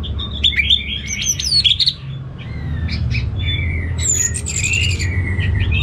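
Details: Orange-headed thrush, a kept bird from northern Bali, Singaraja, singing vigorously: varied whistled phrases with rising and falling slurs and short chirps, then a long sustained warbled passage, over a steady low hum.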